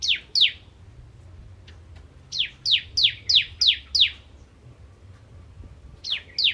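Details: Singing Kristal bar-winged prinia in nembak ngentrok style. Short bursts of piercing, down-sweeping chips are split by gaps: two notes, a silence, a run of six, then two more.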